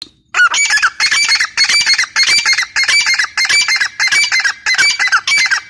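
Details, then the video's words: Female grey francolin of the Irani type calling loudly: harsh, grating phrases repeated about twice per second in a steady run, each one a burst of rough notes with no other clear sounds. "irani female teetar ki awaz"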